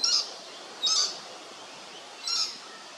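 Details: Lewin's honeyeater at Hervey Bay, Queensland: three short, sharp, high-pitched bursts, the first two about a second apart and the third after a longer gap, over a quiet natural background.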